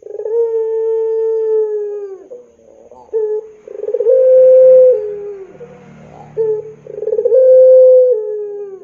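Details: Lure call of a singing puter pelung dove meant to train young birds: long sustained low coo, then stuttering pulses and two further drawn-out notes, each slightly rising then falling away, with faint low rumbling.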